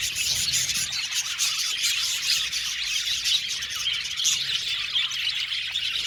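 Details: Budgerigars in an aviary colony, a dense continuous chatter of high chirps, squeaky warbles and short tweets from many birds at once, steady throughout with no pauses.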